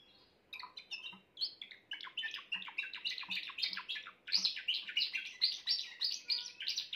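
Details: Grey Timbrado canary singing: a continuous rapid run of buzzy, chirping notes repeated several times a second, with rolling trills that grow louder and brighter in the second half.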